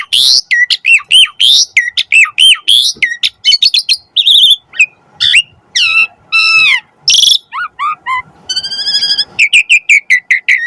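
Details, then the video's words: Lively Asian pied starling song: fast chattering bursts, bent and sliding whistles, a loud rasp, then a buzzy trill and a closing run of short repeated notes. "Suara Burung Jalak Suren"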